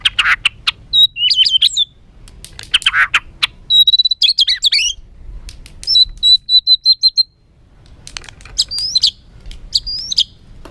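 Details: Agitated white-rumped shama song used to stir other birds: bursts of harsh chattering notes alternating with rapid high whistled trills and brief clicks, with soft low background noise.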